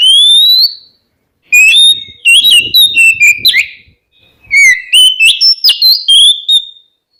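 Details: Oriental magpie-robin singing to goad rival birds into answering. A long rising whistle opens, then two rapid bursts of varied whistled and warbled phrases with clicks follow.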